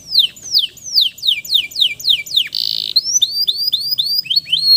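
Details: Vigorous male canary song used to get stressed canaries singing again: a string of steep downward whistles, a short harsh buzz, then quick rising whistled notes.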